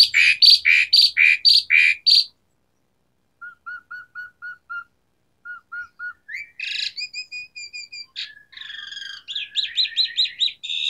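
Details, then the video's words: Varied Asian pied starling song for rousing non-singing starlings: six loud harsh notes, a series of short, evenly spaced mid-pitched whistles, then high whistled trills and fast buzzy, warbling phrases. "Pancingan Jalak Suren Gacor Variasi Isian Tembakan | Masteran Suara Burung Jalak Macet Bunyi"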